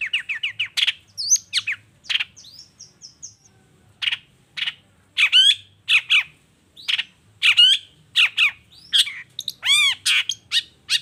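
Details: Vigorous long-tailed shrike song in 'toet toet' style, a lure for silent shrikes: fast rattling notes, a thin held whistle, then spaced harsh chirps and a burst of ringing, bell-like repeated notes.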